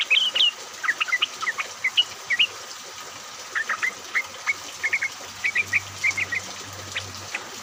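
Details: Group of yellow-vented bulbuls calling during rain, a lure to set other bulbuls singing: varied short chirps and upslurred whistles in loose clusters throughout, with constant rain hiss.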